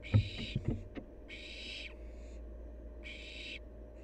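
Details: A wild barn owl fledgling lets out three drawn-out breathy screeches, each about half a second long, after a few sharp taps and knocks at the start.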